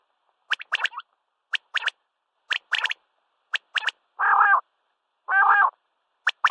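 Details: At sunrise a common quail gives crisp, percussive triple notes about once a second, broken by two longer, rasping, lower-pitched bursts before the clicky triplets resume.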